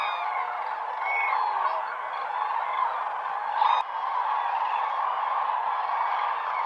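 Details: Huge flocks of common cranes on Lake Hornborga in early morning just before sunrise, giving fanfare calls; a dense, continuous chorus of overlapping trumpeting calls with a few louder honks standing out.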